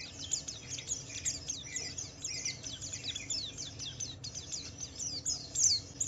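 Javan white-eye singing a fast, continuous stream of high, thin twittering and chattering notes with rapid slurred phrases; faint low background hum.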